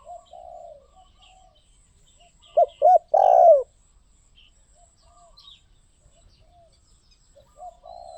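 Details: Spotted dove song phrase: two or three short hooked notes, then a long, buzzy, descending coo. Softer distant cooing comes before and after, with faint high chirps of small birds.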